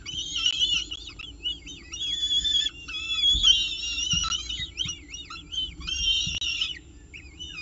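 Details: A peregrine falcon, at the CSU Orange nest with breakfast on 19 October 2018, utters wobbling, looping whistled whines in bursts of several seconds, with low steady hum and occasional thumps.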